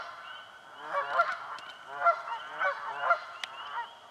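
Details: Canada geese in a swamp honk in quick succession while fighting for nesting spots, with strong, grating, nasal calls about every half second and a faint chirping chorus behind them.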